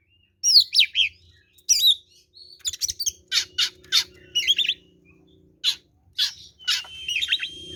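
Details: Oriental magpie-robin fighting song meant to draw other birds to respond, with scratchy notes, sweeping whistles and a steady held whistle near the end over a faint low drone.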